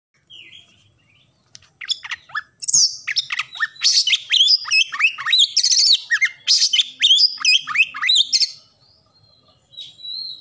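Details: Oriental magpie-robin, a songbird in full, varied song: a rapid run of sharp whistled and chirping notes, many sweeping up and down steeply, packed densely for about six seconds after a brief soft opening phrase, then a thin closing whistle.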